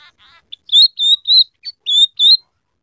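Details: Scaly-breasted munia, singing vigorously with canary-style fill-ins, gives a string of six clear, short whistled notes at one high pitch, each slightly rising, after a few soft buzzy lead-in notes.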